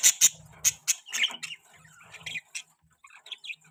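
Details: Budgerigar chirping: loud sharp clicks and chips at the start, then warbling, twittering notes that grow softer and more scattered toward the end.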